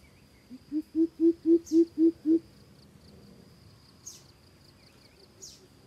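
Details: Series of seven resonant low hoots from a coucal, starting quieter and quickly swelling to a steady pace of about four per second, then stopping; a constant thin insect whine and occasional brief rustles fill the background.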